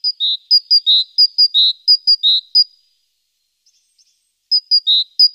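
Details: Great tit busy around the nest in the morning, nest-box webcam, 14 April: a run of paired whistled notes, high then lower, repeated steadily, a short silence, then the see-saw phrase resumes.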